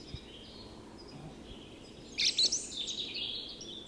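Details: Song thrush singing at dawn in Tyresta National Park, Sweden: one brief, loud burst of sharp whistled and chattering notes after a quiet start, over a faint, steady high chorus of distant birds.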